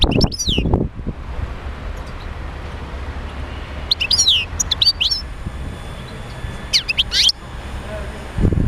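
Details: European goldfinch song meant to encourage other goldfinches into song: quick descending chirps at the start, a twittering cluster near four to five seconds and another near seven seconds, over low background rumble and thuds.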